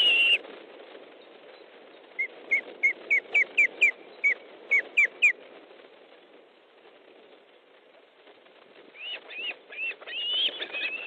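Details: Fish delivery at an osprey nest in Estonia, 13 July 2014, evening: a thin sequence of short, sharply rising whistles, then quiet, then a few louder slurred calls near the end.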